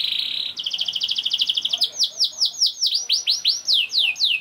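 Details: A young canary sings a bright, high song: a steady trill of rapid chips, then a run of loud rising-and-falling swooping whistles, about three per second; used as a lure to make canaries sing.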